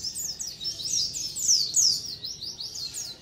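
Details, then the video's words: Colony of white-eyes chattering, used as a lure: quick series of thin, high falling tweets, many birds at once, steady and busy. "SUARA KOLONI PLECI COCOK BUAT PANCINGAN PLECI AGAR CEPAT NGALAS | SUARA PIKAT BURUNG PLECI"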